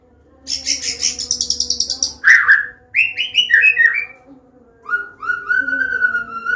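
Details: White-rumped shama of the Medan type, singing a clear open 'ngeplong' combination song used to teach young birds: a fast high buzzy trill, then loud rising and falling whistled phrases, a pause, and a long slurred whistle, over a steady low hum.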